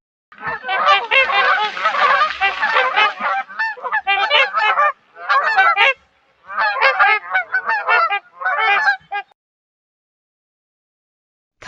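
Swans give loud, nasal, trumpeting honks in dense overlapping bursts, several birds calling together in runs of one to two seconds with short pauses between.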